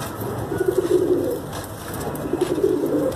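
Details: Pigeon cooing: low, throaty, rolling coos in two bursts, the first lasting about a second, the second starting near the two-and-a-half-second mark, over a soft background hiss.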